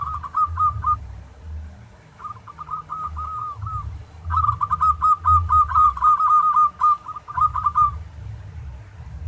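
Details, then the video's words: Zebra dove of local stock singing a tarik song meant to make other doves sing keenly: a short phrase, a softer rolling run, then a long loud chain of rapid bubbling coos, over a steady low hum. "Masteran Tarik Perkutut lokal agar GACOR-Ampuh.!!!!"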